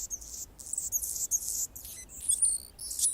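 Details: Singing Anna's hummingbird on a branch in Golden Gate Park, San Francisco, California: continuous rapid chain of very high, raspy, scratchy buzzes and squeaky notes.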